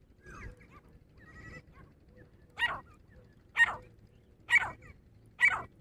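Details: Female Grey Francolin in fighting calls, giving four loud, harsh, ringing notes about one second apart after a couple of fainter, softer calls.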